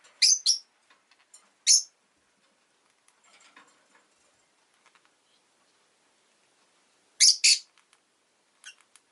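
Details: Pet rosy-faced lovebird giving loud, harsh, high chirps: a quick pair at the start, one more near two seconds, and another close pair near seven seconds, with soft faint ticks and rustles between.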